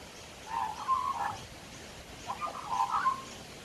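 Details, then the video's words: Quiet warbling from a male magpie perched on a back deck for a long spell, chatting to himself; two gurgling, fluting phrases about a second long, separated by a pause, over a low background hiss. "Magpie Chatting"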